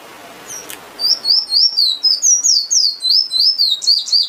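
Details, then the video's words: Finch (emprit) song: after a short click, an energetic chain of high, down-slurred whistles repeats rapidly, close to four notes per second, for about three seconds. "Bird Finch/Emprit Singing Power"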